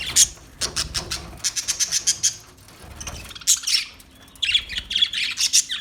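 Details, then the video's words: Budgies chirping in rapid, uneven series of sharp high clicks and squawks, then a few thin whistled notes toward the end. "Beautiful Budgie Beautiful birds Chirping Sounds"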